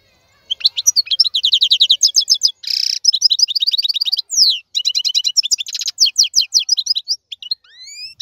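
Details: Song of a wild European goldfinch, 2022 season: after a short silence, quick chattering note series alternate with nasal buzzes and descending slurs, ending in a few thin rising whistles.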